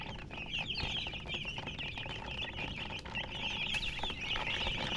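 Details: Chicks chirping together in a constant stream of high, quick peeps, with low rumbling noise and occasional knocks behind them.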